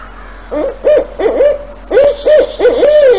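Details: A Barred Owl, a nocturnal species found in Idaho, gives a rhythmic run of deep, slightly wavering hoots, about eight notes in three seconds, in the "who cooks for you" pattern.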